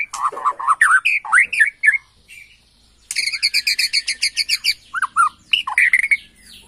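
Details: Bornean white-rumped shama, agitated and replying at once to a lure recording, sings loud varied phrases: slurred whistles and rising notes, a short pause, then a fast run of rich repeated notes and sweeping whistles.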